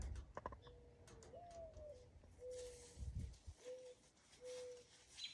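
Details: Mourning Dove perched up in trees gives a soft, low coo: a rising-then-falling opening note, then three steady, hollow hoos, over low rumbling background; locally called "rain crow", its calling thought to foretell rain.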